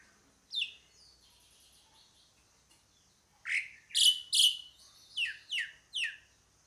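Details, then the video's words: Pied myna calling with a loose run of short, harsh notes that slide downward, then several scratchy bursts and a quick series of descending chirps near the end. "SUARA PANGGILAN JALAK SUREN"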